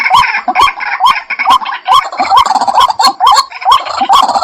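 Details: White-breasted waterhen lure sound thick with overlapping calls: repeated rising croaks about twice a second over a dense, layered chatter of further harsh notes.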